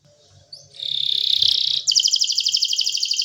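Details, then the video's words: Canary delivering a sustained buzzy note followed by a rapid, even trill of high pulses, several per second. "جميع طيور الكناري سوف تغني بعد الاستماع إليها Canary singing"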